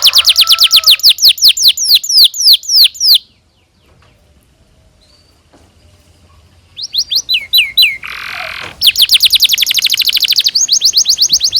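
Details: Chatty canary in a long song for young-canary training: a fast series of descending whistles, a silent gap of several seconds, then more whistles, a short buzzy burst and a rapid rolling trill.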